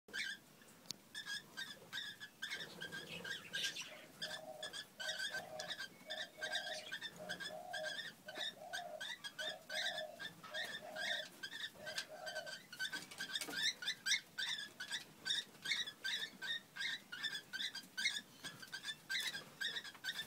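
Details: Cockatiels chatter while mating, with rapid, harmonic chirps and a steady run of lower pulsing notes.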